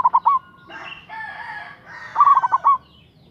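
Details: Local zebra dove used as a rival-provoking lure. A few cooing notes at the start, then a rooster's long crow over the middle, then one rolling six-note cooing phrase from the dove.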